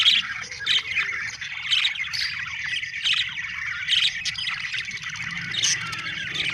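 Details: Budgerigars chirping: dense overlapping chatter of twittering notes and scratchy squawks, with louder sharp bursts about every second and a faint low hum underneath.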